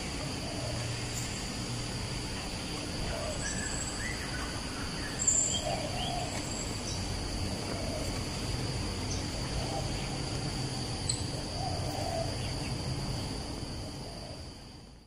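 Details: Asian koel song recorded at Bukit Batok East, opposite Bukit Batok nature park, 14 September 2021: soft, low hooting notes repeat every two to three seconds, partly masked by steady insect hum and scattered calls of other birds.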